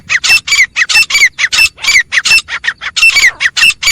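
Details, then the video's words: Four wild grey francolins call in harsh, grating squawks repeated about four times a second, overlapping in a loud, scratchy chorus. "Wild Teetar Calling Sound HD | 4 Jangli Teetar Ki Aawaz | Grey Francolin Sound"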